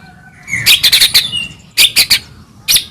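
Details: White-rumped shama singing in the morning as a lure for pet birds: quick clusters of bright, high chipping notes in two bursts, followed by one sharp final note over faint background.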